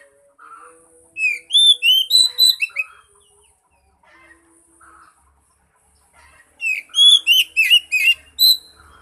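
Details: Oriental magpie-robin song used as a lure to prompt a silent bird to sing: two bursts of loud, clear whistled notes, each a rapid series of rising and falling slurs about six per second, separated by quieter soft notes.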